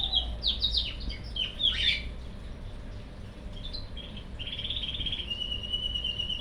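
A cockatiel sings a run of quick chirps and warbles, then long steady whistles.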